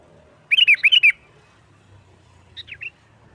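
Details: Sooty-headed bulbul in 'nggaruda tarung' song, used to lure other bulbuls: a loud string of six quick, downslurred liquid notes in half a second, a pause, then a fainter three-note phrase.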